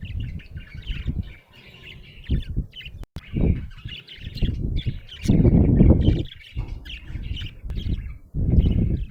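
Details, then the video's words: Cheerful budgerigar chirping: busy, scratchy warbling chatter with rapid chirps, about three per second, running throughout, mixed with loud low thumps and rustling bursts nearby. "Happy budgie chirping sound"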